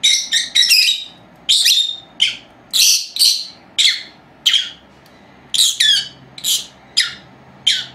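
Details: Two four-month-old female lovebirds kept indoors as pets, chattering while napping: a series of sharp, high chirps and squawks in quick bursts, then spaced at roughly half-second to one-second intervals, with faint low household hum.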